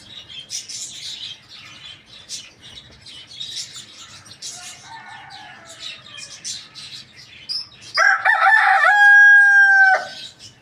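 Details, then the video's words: Morning crow of a rooster, loud and harmonic, lasting about two seconds near the end, preceded by busy chirping of small birds and a brief softer call. "Chicken rooster crowing loudly in the morning"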